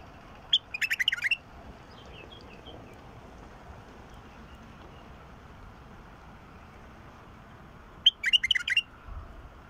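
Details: Bulbul song played to encourage a silent bulbul to sing: two short bursts of quick, bubbly warbled notes near the start and again after about eight seconds, with quiet background between.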